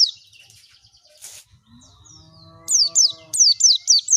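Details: Oriental white-eye lure recording meant to prompt a bird to open its beak and sing. Faint high twitters and a low, steady humming tone come first, then a rapid string of loud, piercing, down-slurred whistles.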